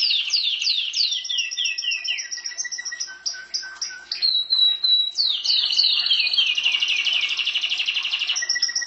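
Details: Singing pet canary: a run of falling whistled slurs repeated about three times a second, a short steady whistle, then a fast, bright, buzzing trill to the end.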